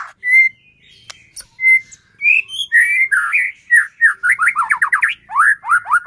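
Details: White-rumped shama singing loudly, a recording meant to provoke another shama into song: pure whistled notes lead into a fast cascade of rich slurred, rising phrases packed tightly together.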